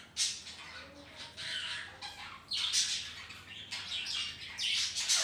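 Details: Colony of budgies at home with ring-necked parrots: sharp harsh squawks and scratchy calls in irregular bursts, some with quick down-slurred tails, over a steady background of faint twittering.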